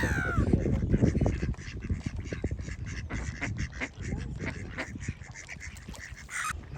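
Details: Wild ducks at Lago Grande lake by the Porto Novo seashore give rough, nasal quacks in quick irregular bursts, with gull calls mixed in over low rumble. Wild duck.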